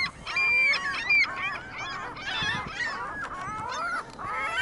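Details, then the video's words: A flock of gulls on a Michigan City parking lot gives a loud, overlapping chorus of harsh squealing and mewing calls with sharp, rising whistled notes. "Gulls Choir sings"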